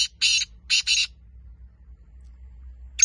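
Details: Black francolin giving four harsh, buzzy notes in two pairs, then a long quiet gap before one more sharp note begins.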